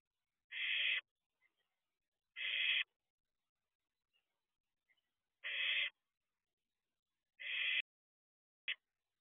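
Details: Nest-box barn owl owlet at night giving four rasping screeches of half a second each, irregularly spaced, with tiny faint chirps between them and a short clipped burst at the end.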